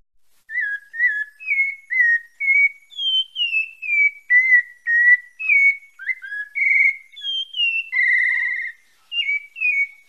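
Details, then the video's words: Sabiá-parda thrush from Bahia, labelled Santa Fé, singing a long run of clear whistled phrases, mostly slurred downward notes, about two per second, with one steady held note near the end; quiet background. "SABIA PARDA DA BAHIA SANTA FÉ"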